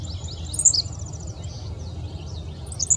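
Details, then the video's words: Henslow's sparrow at Bath Nature Preserve, Summit County, Ohio, on 3 June 2017, gives its brief, high, hiccuping two-part song twice, about two seconds apart, over faint high insect-like chatter and low rumble. "Henslow's Sparrow"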